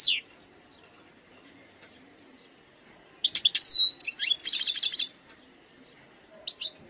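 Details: Wild European goldfinch giving a brief burst of song after a quiet spell: clipped high notes, one pure whistle, then a few rapid twittering pulses, with scattered single chirps later.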